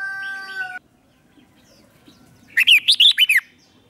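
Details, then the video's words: Decoy red-whiskered bulbul singing to lure wild bulbuls in: after a steady whistled tone and a pause, one quick burst of about seven bright, rising-and-falling chirped notes. "Chào mào mồi gọi bổi không tạp âm, tiếng chào mào mồi gọi là đến"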